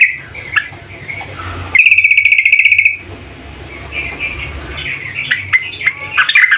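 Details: Yellow-vented bulbul female calling to the male: scattered soft chirps, then a loud, even, rapid trill lasting about a second, followed by quieter twittering that grows into sharp, lively notes at the end.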